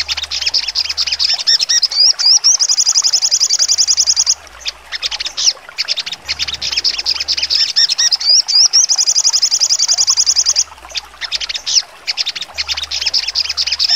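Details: High-pitched sogon song in the sharp trotol style, with two long, rapid, buzzy trills, each led in by rising whistled slurs and broken up by bursts of sharp, scattered chips.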